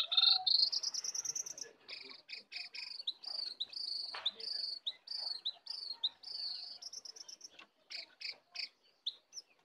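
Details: A wild and a caged sooty-headed bulbul in fierce full isian song competition. A long rising whistle opens, then evenly spaced short whistled phrases and clipped notes repeat at a moderate, steady pace, softer than before.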